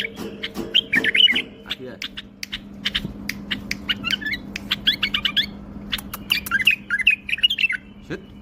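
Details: A singing bulbul gives short bursts of warbled, twisting whistles between clusters of sharp clicks, with a constant low hum underneath.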